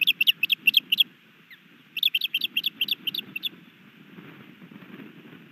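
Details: Osprey at a nest in Hellgate Canyon, Missoula, Montana, 3 May 2020, as a new male lands and attempts to mate with the resident female. Two rapid bursts of sharp, high chirps, about seven then eight notes, over a low rumble.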